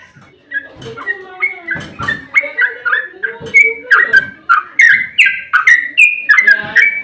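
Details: Long fighting 'ropel' song of a sooty-headed bulbul, used to provoke others to sing: a soft start building into loud, rapid bubbly whistles, with lower warbled notes mixed in.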